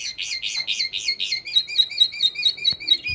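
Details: Red mixto canary hybrid from 2025, in preparation for song contests, sings a rolling trill: first a fast burbling run of rounded warbled notes, then quicker bright twittering repeated steadily, with a faint click in a quiet room.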